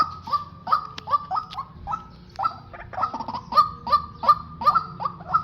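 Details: White-breasted waterhen decoy pair, male and female, used for trapping. Brisk, repeated, hollow yelping notes come about three per second in a rhythmic series, with a sharp click near the first second and low hum beneath.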